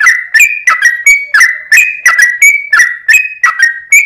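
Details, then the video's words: Lure recording of an actively singing sooty-headed bulbul, giving clear whistled notes alternating slightly higher and lower, often paired, in an uneven bouncing rhythm over four seconds. "trucuk cocot tonggo || trucuk gacor || trucuk pikatan"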